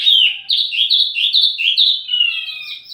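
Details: Wambi mini song used as lure and tutor recording for tledekan birds: a rapid string of high, slurred whistled notes, each dipping then jumping up, run together for about three seconds, ending in thin descending trills; no other sounds.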